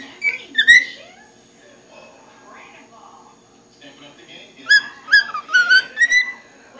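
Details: Cockatiel kept as a pet, perched in a liquor cabinet, calls with a few sharp chirps, goes quiet for several seconds under faint indoor murmur, then bursts into a quick series of rising and falling whistled chirps.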